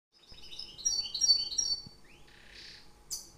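A European goldfinch sings a quick, bright run of tinkling, twittering notes, then a rising slur and a soft buzzy trill before a sharp final chip.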